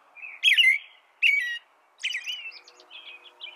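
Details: An American robin sings two loud slurred phrases followed by softer, thinner twittering notes, with a low background hum.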